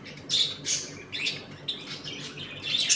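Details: Several budgerigars in a home colony squawk harshly and chirp in uneven bursts, scratchy calls alternating with brief high notes while the birds play and fight.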